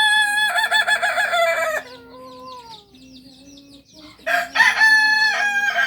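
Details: Kokok Balenggek, the native singing chicken of Solok, from a farm in Solok city. Loud, harmonic crowing in two bursts of stepped, multi-part notes, separated by a quieter stretch of thin tonal calls and faint chirps.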